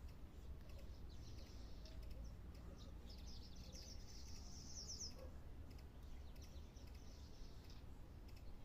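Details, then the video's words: A swallow perched on a wire, singing a lot. A rapid, high twittering trill builds between three and five seconds, with softer chatter before and after, over a steady low rumbling background. "Andorinha no fio cantando muito"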